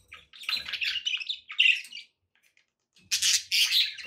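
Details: Pet budgerigars warbling in a continuous run of scratchy, buzzy chirps. A brief pause follows, then two loud, harsh squawking bursts, with faint low knocks underneath.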